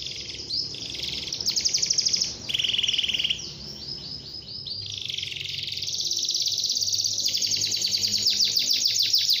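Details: Persistent canary song meant to get young canaries singing quickly: changing high trills, one lower and steadier, others rattling fast, with sweeping whistles between phrases and faint background hum.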